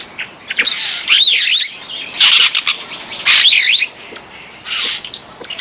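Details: Superb starling, a master bird for training songbirds, pours out loud, varied song: swooping whistled notes rising and falling, mixed with harsh chattering bursts, over a steady background hiss.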